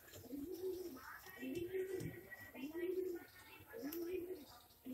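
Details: English Magpie pigeon, fancy breed kept in Bhavnagar, Gujarat, India, giving four low, rounded cooing phrases spaced about a second apart, with faint other sounds behind.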